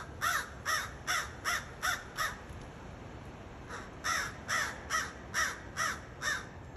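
An American crow gives two quick bursts of six harsh, hoarse caws each, about two and a half per second, separated by a short pause.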